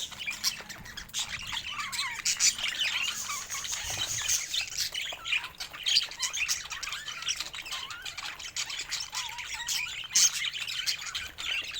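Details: Several pet budgies produce a long stretch of continuous chatter: raspy squawks, clicks and little wavering whistles, with occasional sharp louder chirps standing out.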